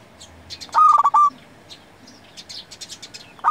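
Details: Local zebra dove singing, used for luring and tutoring doves: a single loud rippling coo phrase, then scattered high chirps from other small birds before the next phrase begins.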